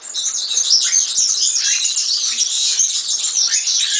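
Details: Unbroken, rapid, silvery jingling of a singing European serin, high and buzzy, steady in loudness throughout.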